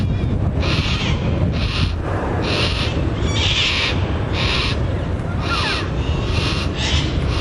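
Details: A fully fledged juvenile Yellow-tailed Black Cockatoo in a Banksia tree, with its family of two adults and two juveniles, gives harsh, rasping begging calls nonstop, about one a second, still relying on its parents for food; steady low wind rumble.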